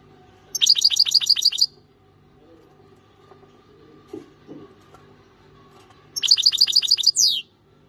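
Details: European goldfinch; two bursts of bright, tinkling twittered notes, each a fast run of about eight rapid liquid chips ending in a drawn-out descending slur, separated by several seconds of near silence with faint low background sounds.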